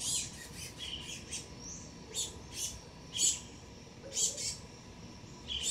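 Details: A young male black-goggled tanager comes to a garden fruit plate for the first time while a pair of dusky-legged guans looks on. Thin, high chipping notes given singly and in pairs, irregular, with soft background hiss.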